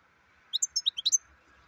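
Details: Short, sparkling phrase from a black-headed goldfinch: about seven quick, high, clear chirps and slurred notes in under a second. Quiet before and after apart from a faint steady hum.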